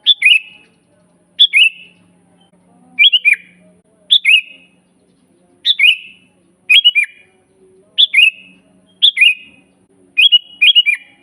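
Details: Sooty-headed bulbul singing, used as a master to train and lure bulbuls: repeated bright whistled phrases roughly every second, several in quick pairs, with falling slurred endings and a faint low murmur.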